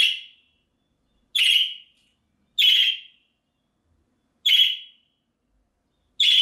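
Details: Pet budgerigar contact calls, played outdoors so an escaped bird answers and returns: five clean, raspy chirps spaced one to two seconds apart over silence.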